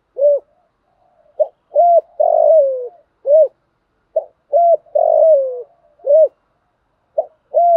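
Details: Repeated challenge coos from a spotted dove, used for training decoy birds to sing: low clipped notes and long, slightly falling coos in a steady run of phrases, otherwise quiet.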